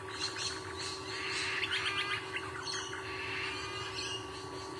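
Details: Male sea eagle on its nest in Sydney, Australia gives quick runs of high, sharp yelping chirps, bunched into short bursts over a steady mechanical hum.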